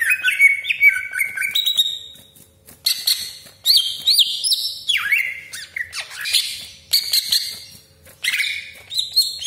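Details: Greater green leafbird (cucak ijo) in full lure song meant to provoke other leafbirds, with sharp 'tembakan' shots and harsh 'besetan': varied whistled phrases, rising and falling sweeps, and dense chattering bursts in rapid, irregular runs.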